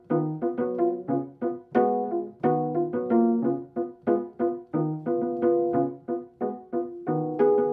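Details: Instrumental music of piano-like and horn-like notes played in rhythmic chords, with no animal sounds present.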